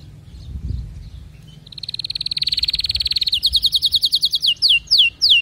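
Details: Canary starts softly, swells into a long even rattling trill, then shifts to slower repeated notes and a few loud down-slurred whistled sweeps, with faint low background noise.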